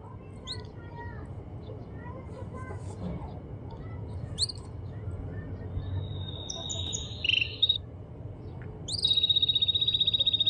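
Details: A male canary (Serinus canaria) in full song gives bright, high whistled phrases and sharp upsweeping notes, ending in a rapid trilled roll, over a low background hum.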